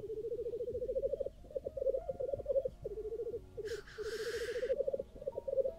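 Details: On a cold, frosty morning in Sweden, black grouse at a lek are recorded with a Nikon Z6 II camera: rippling low rookooing in repeated runs, interrupted once by a loud breathy hissing sneeze.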